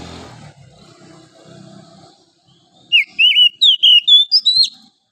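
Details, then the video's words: After a few seconds of low background rumble, a wild forest oriental magpie-robin bursts into morning song, delivering a brisk run of about eight sweet, slurred whistled notes that rise in pitch. "OCEHAN KACER DIAPAGI HARI, suara asli kacer hutan liar"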